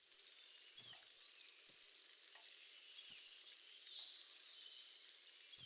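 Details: A fledgling Blue-winged Warbler gives ten quiet, short, high, slightly buzzy 'dzit' call notes, about two a second, over a soft background hiss.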